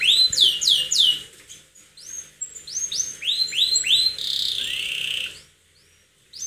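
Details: Canary in lively attacking song: series of quick rising whistled notes repeated about three per second, grouped in bursts, then a sustained buzzy rolling trill before a short pause and another whistle.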